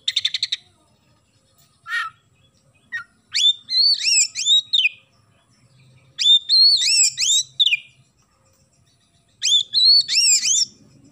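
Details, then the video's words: Oriental magpie-robin in full, lively song with sparrow-style material: a quick rattle and a couple of short chirps, then rich, warbled whistled phrases of rising and falling notes, repeated about every three seconds. "KACER GACOR ISIAN GEREJA"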